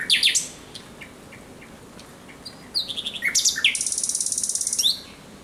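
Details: Common Nightingale in night song, 17 May 2023: opening loud chirps, a pause with soft ticks, then quick descending notes and a fast, high, rattling pulse series.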